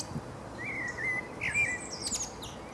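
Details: Male common blackbird in Berlin, Germany, April 2015: a rich drawn-out fluting whistle, then a second richer phrase closing with a burst of high squeaky twittering, against a soft background rumble.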